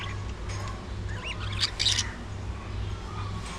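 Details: Budgerigars at early morning feeding time give quick, rising chirps and short squeaky notes, loudest near the middle, with a low steady hum throughout.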